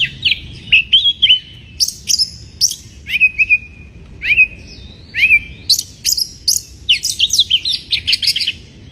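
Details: Varied white-rumped shama song from a bird in breeding condition, used to provoke rivals: sweet sliding whistles, some held and falling, mixed with rapid sharp chips and trills that quicken near the end.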